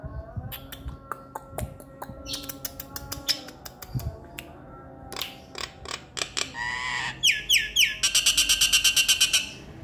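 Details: Nias hill myna, a male singing its full repertoire: sharp clicks and chucks, a run of falling whistles, then a fast series of harsh buzzy notes, over a faint steady tonal hum.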